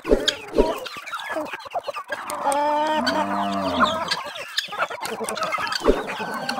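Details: Farm-raised chickens in a countryside setting: a dense chorus of overlapping clucks, with a drawn-out, crow-like harmonic call in the middle, then sharper clucks near the end.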